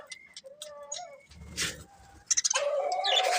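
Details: A breeding pair of budgerigars chirping, with short sliding whistles and harmonic chirps, a brief noisy burst, then dense overlapping warbled chatter.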